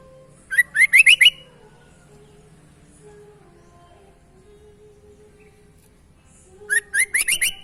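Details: An energetic sooty-headed bulbul with odd-sounding song delivers two quick runs of sharp, climbing whistled notes, about five per run, several seconds apart, over a faint low humming background.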